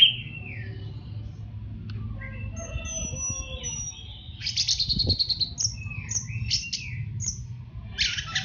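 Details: Orange-headed thrush master song, teler style, for training caged birds: scattered whistles and short notes, then bursts of harsh buzzy trills and sharp slurs near the end over faint rumble.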